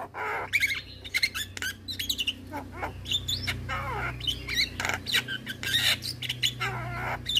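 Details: Young Javan myna, white-eyed form, being trained to sing with a chattering song: dense harsh chatter, grating rasps and squeaky rising and falling whistles in quick irregular bursts, over a steady low hum.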